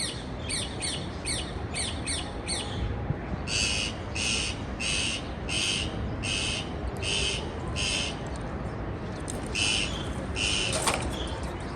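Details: Chirping parakeet: a quick string of scratchy notes gives way to slower, evenly spaced harsh squawks, roughly one every half second, against a constant low rumble.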